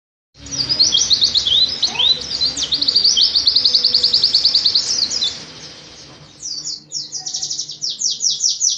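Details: Oriental white-eye singing in the rapid, tightly packed 'nembak rapat' style: dense high chattering trills and quick down-slurred notes, fast and continuous, then a run of separate sharp chips near the end.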